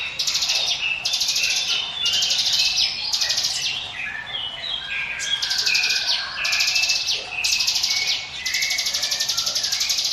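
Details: Bursts of harsh, buzzy trilling from a Hill Prinia, roughly one burst each second, singing in 'ngiwit wit' style as a lure for other birds, with faint whistles underneath.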